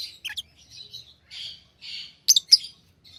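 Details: Tame pet lovebirds trade soft, buzzy chattering notes with a few sharp, piercing chirps clustered near the end, against quiet room noise.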